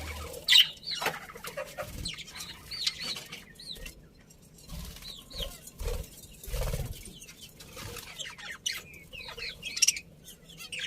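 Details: Budgerigar colony kept as pets, described as happy, with a steady murmur of faint high warbling chirps throughout and occasional soft low knocks.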